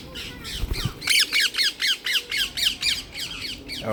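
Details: Wild rose-ringed parakeets in London, England, drawn to an offered apple, give a rapid run of about a dozen harsh, grating squawks, roughly four per second, after a brief low thump; a male with red-and-black neck nearby.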